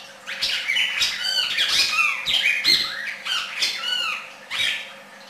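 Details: Red-crested cardinal singing: a varied, hurried series of slurred, squeaky whistles and sweeping notes, some rising and some falling, with brief pauses between phrases and a steady low hum behind.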